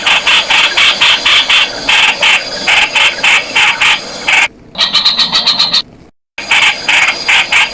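Streak-eared bulbul giving rapid, harsh, chattering notes repeated in quick bursts several times a second, loud and high-pitched, with a brief pause partway through.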